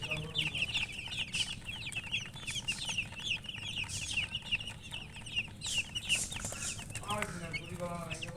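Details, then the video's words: Chicken chirping: rapid, high-pitched peeps tumble over one another without pause. Near the end, lower, rougher clucking notes join in alongside the steady background noise. "silly chicken chirping sounds with murgi hen color chicken"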